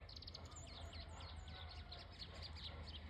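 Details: White-throated seedeater singing at dawn: quick high chirps and upslurred twitters repeated steadily throughout, with a low steady rumble underneath.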